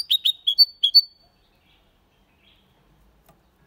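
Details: Hybrid of goldfinch and canary in Malaga-style singing: one second of five or six clear, high, sharp notes, each pitched slightly differently, then silence with a faint tap.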